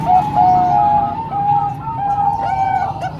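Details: Zebra dove song, from a mix of Bangkok and local birds meant for training young doves: drawn-out, soft, tonal coos blending into a continuous murmuring line over a low rumble.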